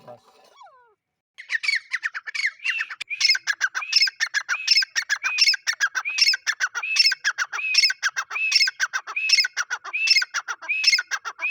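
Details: After a faint opening sound, a male grey francolin launches into a loud, rhythmic series of about fourteen ringing phrases, each a rising whistle followed by rapid harsh notes.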